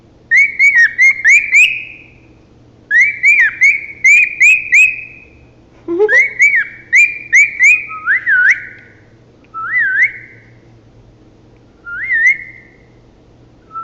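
A male cockatiel whistles bright rising and falling phrases in quick repeated bursts.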